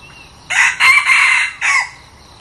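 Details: Decoy red junglefowl for luring wild birds crowing once: a loud, raspy burst broken into three joined segments, a short pause, then a separate clipped final syllable with a slight downward slur.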